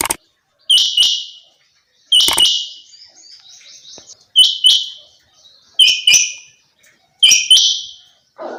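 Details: Female quail giving loud, harsh double notes, each a sharp two-part burst with a short buzzy tail, repeated about every one and a half seconds, with faint twittering between calls.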